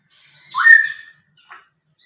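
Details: A female pet talking grey parrot on a Sunday morning, among spoken phrases: one drawn-out, voice-like squawk that swoops up and then slides down, followed by a brief rough chirp.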